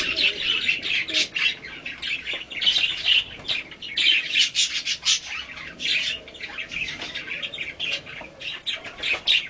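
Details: Hand-tame budgerigar, a colour mutation, at feeding time with play and cuddling; broken, squawky chatter of short harsh bursts and raspy notes, separated by brief gaps, loudness rising and falling.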